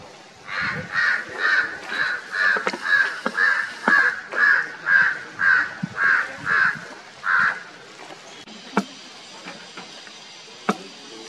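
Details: Large-billed (Himalayan jungle) crow in the middle Himalayas near Jaonli and Gangotri in winter gives about fifteen harsh, hoarse caws, two per second, then falls quiet; a few sharp clicks or knocks follow.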